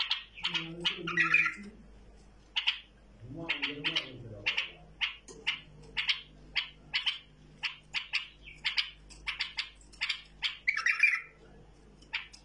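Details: Hand-tamed bulbul delivering a long run of bright, clipped chirps, often in quick pairs, roughly every half second. A few warbled phrases are mixed in, and a person speaks briefly in the background.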